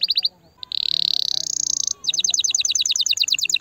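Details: Canary song meant to stimulate a female canary: a brief chirping series, a short pause, a long fast buzzy trill, then a run of rapid bright repeated notes.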